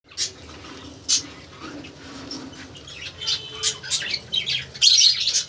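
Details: Breeding budgerigars (hogoromo) give sharp, scratchy chirps and warbling chatter in irregular bursts.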